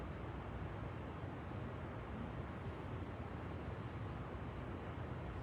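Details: Steady, dense low rumble of engine or vehicle noise throughout, with no animal sounds.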